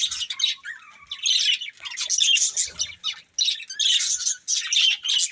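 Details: Budgerigars from a breeding pair chirp in bursts of rapid scratchy warbling, each lasting about a second, separated by brief quiet gaps.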